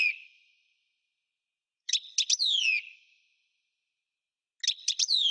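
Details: Singing European goldfinch, parva style: short sharp clicks followed by a long descending whistled slur, a silent gap, then the same click-and-slur phrase beginning again.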